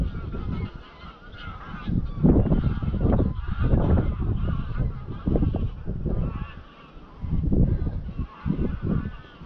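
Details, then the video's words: Hundreds of greylag geese pass overhead at dusk near Llanfaelog, Anglesey, flying to Llyn Maelog; waves of loud overlapping honks rise and fade, with strong wind noise throughout. "Flight of the Greylag Geese"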